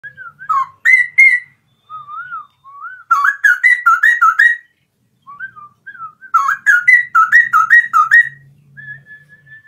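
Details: A captive Straw-headed bulbul sings loud, rich, bubbling phrases in three bursts linked by softer slurred whistles in the morning, over a faint low hum; straw-headed bulbul song.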